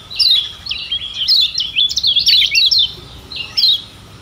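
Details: Lemon-bellied white-eye of Lombok in tutor song: a continuous high twittering warble of quick rising and falling notes for three seconds, then a short ending phrase.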